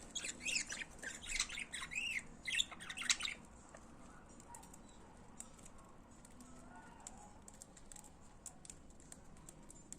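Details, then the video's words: Pet budgerigars chattering indoors, a burst of rapid scratchy warbles and chirps in the first three seconds, then near quiet with only faint scattered ticks. "Periquitos de Estimação Cantando Periquito da Natureza Som de Pássaros"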